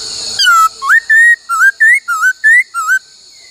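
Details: Laughingthrush song from a training session with many voices, 'bắt cô trói cột' style: after a short noisy start, a steady series of loud clear whistles, alternately level and rising or dipping, about three per second.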